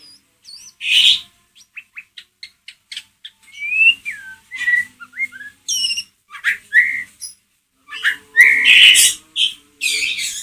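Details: White-rumped shama in ngeriwik style, a lure meant to provoke another shama: a string of brief high ticks, then varied whistled slurs rising and falling, with harsh buzzy bursts and a quick break in the sequence.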